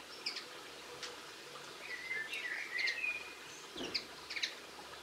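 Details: A linnet sings on 22 March 2016, giving scattered sharp chirps, then a run of slurred warbling notes with a drawn-out whistled tone, followed by more quick high twitters; faint outdoor hiss throughout.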